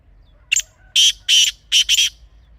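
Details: Black francolin (kala teetar) from Pakistan, calling in a natural setting: one short sharp note, then three to four harsh, grating, buzzy bursts in quick succession over a quiet background.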